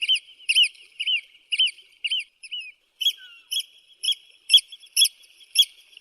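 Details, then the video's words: Eurasian oystercatcher giving loud, shrill, arched piping notes, about two per second, fading after two seconds. After a short gap a second, quicker series of ringing notes follows, with one faint lower slurred whistle near the start. "Eurasian oystercatcher sound, oystercatcher call"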